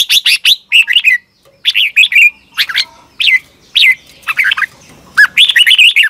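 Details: Red-whiskered bulbul from Thailand, a recording played to caged birds so they copy its doubled song style. Many quick phrases of bright whistled, warbling notes follow one another with brief pauses, each phrase rising and falling.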